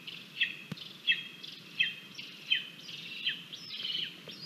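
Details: Lesser spotted eagle chick at its nest on a live nest camera, 17 August 2022, at breakfast, cranky and pushing its mother away from the food: high whistled calls with falling tails, repeated roughly every three-quarters of a second, over steady background hiss.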